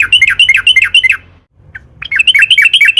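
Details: Sooty-headed bulbul singing a long rolling song used to lure and stimulate other bulbuls to sing: fast, bubbly, repeated warbled phrases, broken by a brief pause near the middle, then resuming with a low background hum.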